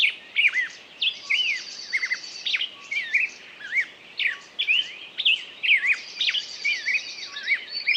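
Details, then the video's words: Bird song: a rapid stream of varied whistles and chirps, some looping and some sweeping down, with a high buzzy trill in bursts, continuing without a break. "пение птицы"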